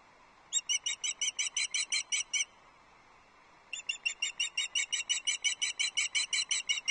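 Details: A female osprey at her Loch Arkaig nest calls to her mate for fish on 6 July 2024, captured by a nest camera. A run of ten piercing whistled notes, a second of quiet, then a longer rapid series of about seventeen.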